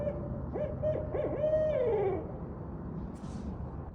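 Barred Owl giving its rhythmic 'who cooks for you' hooting, a run of quick mid-pitched hoots ending in a long, drawn-out descending note; faint background hiss.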